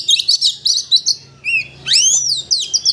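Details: Oriental magpie-robin (Copsychus saularis), song: provoking a rival magpie-robin into full, excited singing.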